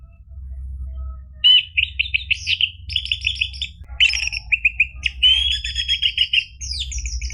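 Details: Loud orange-headed thrush song used to coax a caged bird into singing: after a quiet start come dense runs of rapid trilled and buzzy notes, with sharp high whistles and a steady low hum behind.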